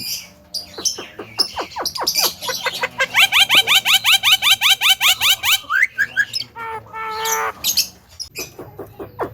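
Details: Loud, clear talking of a Javan myna (jalak kebo): a rapid series of short sharp notes builds into a fast, regular train of bright, ringing syllables, followed by a few drawn-out harmonic calls and scattered clicks.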